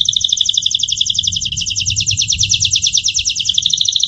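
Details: Song of a domestic Gloster canary, recorded in 2018: one continuous rapid trill of high paired notes, even and unbroken for four seconds, over a soft low rumble.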